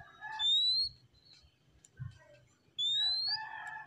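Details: Relaxed singing of an oriental magpie-robin: two loud, pure whistles, each sliding upward, separated by about two seconds of quieter, scattered chirps over a faint low hum.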